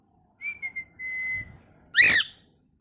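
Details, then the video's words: Pet parrot, molting, indoors: a clear level whistled note with a short lead-in, held about a second, then a loud, harsh, raspy squawk cutting off abruptly; quiet room otherwise. "Parrot Chirping Sounds"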